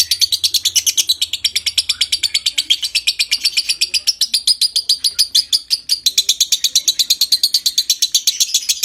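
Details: Long ngekek of a konslet lovebird, played to stimulate breeding condition: an unbroken, fast chatter of shrill, high notes, about three a second, running evenly for nearly nine seconds.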